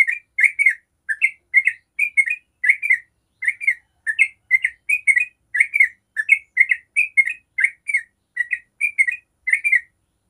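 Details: Long 'ropel' song of a yellow-vented bulbul, played to draw other bulbuls into singing; continuous bubbling chirps in quick paired and tripled notes, evenly spaced, with no other sounds.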